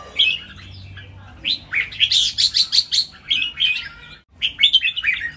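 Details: Red-whiskered bulbuls in cages, three birds pitted in a Thai counted-phrase song contest: a rapid series of bright, evenly pulsed whistled notes, about eight in quick succession, then further twittering phrases after a brief break.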